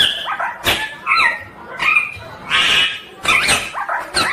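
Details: A ringneck green parrot gives harsh, grating screeches with sharply bending pitch, in uneven bursts about a second apart, at close range.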